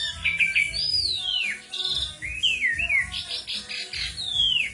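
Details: Lively Asian pied starling song mixing long downward-slurred whistles, short upslurred notes and buzzy rattling bursts, continuous and varied over a few seconds.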